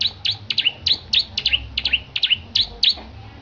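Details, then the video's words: Petarukan Bar-winged prinia, singing hard ahead of a competition, delivers loud high chirps in quick pairs and singles, each note dropping then rising, with soft hum underneath. "Kicau Burung Petarukan Ciblek Gacor Persiapan Perlombaan"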